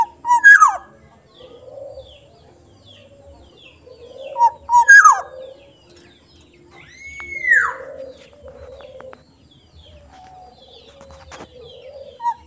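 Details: A soft-voiced Sumbawa Black-naped oriole gives two sharp falling strokes a few seconds apart. Later comes a smooth arched whistle, with quieter repeated low chirps and faint clicks between phrases.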